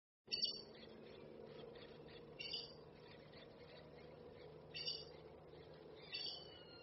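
Red-necked aracari giving four sharp, squeaky high calls spaced about two seconds apart, over a steady low background hum.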